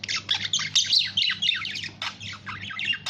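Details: Budgerigar giving a dense, continuous run of scratchy chirps and squawks with rapid warbled notes, busy and unbroken throughout, over a faint low steady hum.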